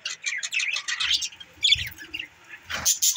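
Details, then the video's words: Budgerigars chirping in quick warbled bursts, a run of short rising and falling notes, a pause, then a louder squeaky burst near the end, with soft low thumps. "Bueatiful Sounds budgies"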